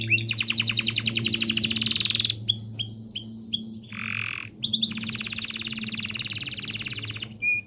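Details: Canary singing to stimulate pairing: long buzzy rolling trills broken by short sharp high chips and a brief lower note, over a steady low hum.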